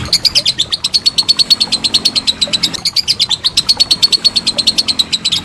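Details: Lovebird in a long ngekek chattering trill, recorded as master material for training contest songbirds: a sustained, steady run of sharp, high, buzzy chirps repeated several times a second without a break.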